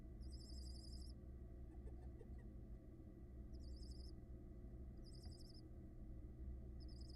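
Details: Six barn owl nestlings on a nest camera in Florida, hatched February 2022, giving faint, raspy, rattling hiss bursts about one second long, repeated every couple of seconds over a steady low electrical hum.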